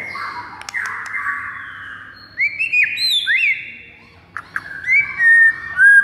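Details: A white-rumped shama gives fighter song to stir other birds: a soft hissy wash, a few sharp clicks, then scattered arched whistles and a sustained high note, fairly quiet overall.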